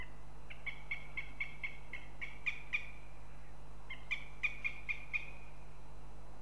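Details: Northern goshawk calling at the nest in Riga, Latvia: two bursts of clipped, evenly spaced kek notes, about eight and then six in quick succession, separated by a short pause, over faint background hum.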